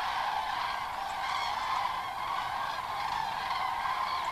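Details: Massed common cranes at a migration rest stop, heading at dusk from the fields to roost at Kelbra reservoir: thick, constant blend of many rolling trumpet calls.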